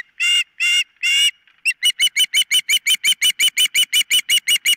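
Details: An osprey calls at its nest on a nest camera, 4 September 2023: three drawn-out harsh squealing notes, then a fast, steady volley of short piercing chirps, roughly three a second.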